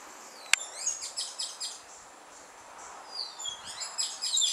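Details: At dusk in Martinique, a Carib grackle sings quick, high, squeaky notes and twittering phrases with thin downslurred whistles, after a sharp click at the start and some faint low rumbles in the background.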